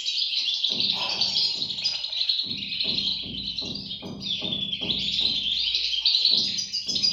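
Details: Shrill overlapping chirps from European goldfinch chicks run without a break, accompanied by a steady beat of low thuds roughly every half second.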